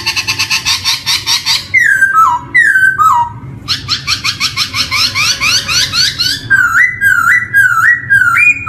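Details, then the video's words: Black-throated laughingthrush song for luring young birds into singing: opens with harsh rasping chatter, then descending whistled phrases, another chattering burst and rising whistled notes repeated in quick succession. "PANCINGAN SPECIAL BUAT POKSAY YANG BARU BISA BUNYI | GARULLAX CHINENSIS SONG"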